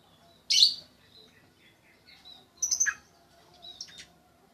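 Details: Sooty-headed bulbul undergoing a mental test, giving a loud rasping chirp, then quiet soft notes, then a second cluster of three quick harsh chirps and a few faint high notes at the end.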